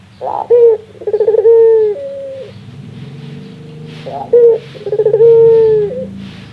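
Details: Barbary dove laughing, described as its rarest sound: two bursts, each a sharp note and a trill of quick pulses leading into a held coo, separated by a few seconds of near quiet with faint low background hum.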